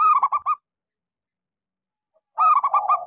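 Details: Local zebra dove whose gentle song is played to encourage silent doves to sing; two rolling coo phrases, each of four to five quick throaty notes, separated by a long quiet pause.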